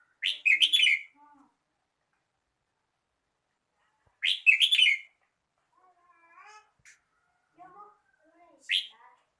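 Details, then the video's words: Red-whiskered bulbul song: a short bright whistled phrase of rapid slurred notes, repeated about every four seconds, with soft lower chirps from other birds in between. "chào mào hót"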